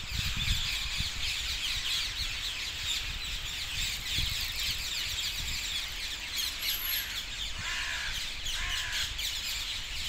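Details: Dozens of parakeets at their roost trees south of Hackney Marshes on 18 February 2021, giving a constant shrill squawking chorus, with several distinct louder descending screeches standing out toward the end.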